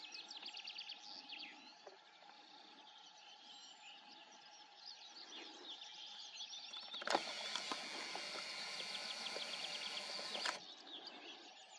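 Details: Common reed bunting on Karmøy, Norway, 2021, giving thin, high chirps at an uneven pace over a steady hiss, broken midway by a loud burst of wind or rustling noise.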